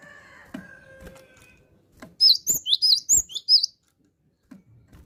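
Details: In gacor form, a gelatik batu, or cinereous tit, gives a short burst of sharp, high two-part whistles, about seven quick rising-falling slurs in a second and a half, with a faint lower whistle and soft knocks before it.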